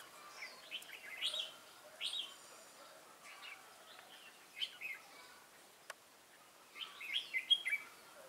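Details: Red-whiskered bulbul, a newly caught wild bird, in competitive singing on 22 October 2018: scattered quiet chirpy warbles and brief whistled notes spread over eight seconds, with a single sharp click midway and soft background hiss.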